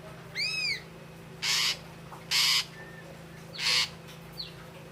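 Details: Red-eyed grey drongo, the ashy drongo, giving one arched, ringing, harmonic whistle followed by three loud, harsh, buzzy rasps about a second apart, with a faint hum beneath.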